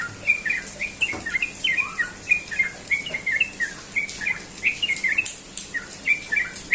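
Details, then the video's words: Sooty-headed bulbul in the morning, singing in the fast ropel style: bursts of bright, slurred whistles rising and falling, run together in lively phrases with brief dips in loudness, and faint insects behind. "burung trucukan ropel pagi"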